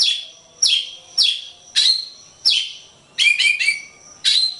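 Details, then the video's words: Oriental magpie-robin (kacer) singing on a masteran training track: clear downward-slurred whistles repeated about every half second, then a quick cluster of rising notes, bright and ringing. "Ocehan Suara Burung Kacer"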